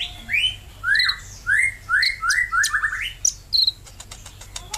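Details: Sunbird singing vigorously: a series of rising, slurred whistled notes, one about every half second, closing with a quick run. Sharp, high chirps follow, then a burst of dry, rapid ticking at the end.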